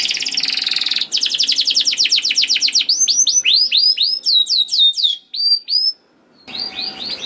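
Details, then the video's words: Canary singing, a master recording to encourage other canaries: a fast buzzy trill, then crisp falling whistles and high chips, a pause, then more whistled notes. "MASTERAN KENARI !! AMPUH DENGAR KENARI DIJAMIN KENARI ANDA BUNYI SEKETIKA #146 || VOICE OF CANARY"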